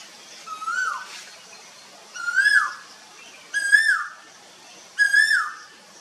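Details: Asian koel singing four loud, clear whistled notes, each rising and then sliding down, spaced about 1.4 seconds apart. The notes climb slightly in pitch through the series over a quiet background.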